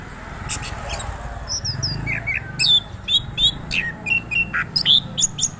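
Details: Singing orange-headed thrush, the anis kembang, delivering a rapid rolling run of short whistled and chipped notes that quicken and grow louder toward the end, over low background noise.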